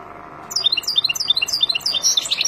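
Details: European goldfinch from the wild, sung to teach chicks: after a short silence a fast run of bright, liquid, chirping notes begins, bouncing between high pitches and growing denser toward the end.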